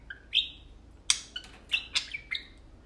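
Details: Pet budgies, a tame pair, playing indoors; short, clear whistled chirps and a sharp click, spaced out with quiet gaps between notes.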